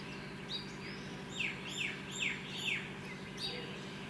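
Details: A Himalayan wagtail (Motacilla alba alboides) at Wild Grass Lodge, Kaziranga, India, in 2010 gives sharp, high, downward-slurred chirps in a quick series about every half second over a steady low hum.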